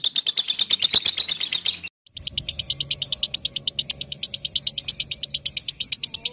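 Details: Lovebird ngekek chattering meant to stir rival birds into song: a rapid, shrill trill, a sudden brief break, then an even faster, thinner and higher repeated chatter.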